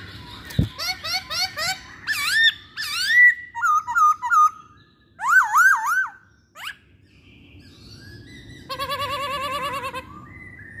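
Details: Masked laughingthrush song used as a lure to make other masked laughingthrushes sing: a run of varied clear whistled phrases with rising and falling loops, a sharp click near the start, and a closing rapid wavering trilled phrase.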